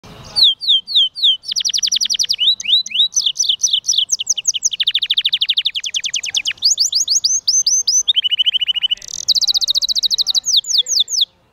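Yellow-fronted canary hybrid singing a long, high, canary-like song of rapid rolling trills and repeated sweeping notes, shifting phrase every second or two.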